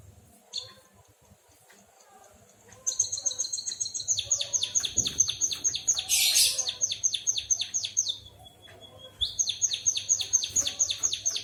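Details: White-headed munia imitating a canary: after a quiet start, a long, rapid trill of high down-slurred chirps, one brief thin whistle, then the chirping series resumes, with a faint low hum beneath.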